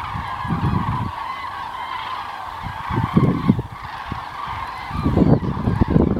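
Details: Common cranes migrating south on 9 November 2014, a flock calling overhead: many overlapping trumpeting, rolling calls form a continuous chorus, with low rumbling gusts of wind between.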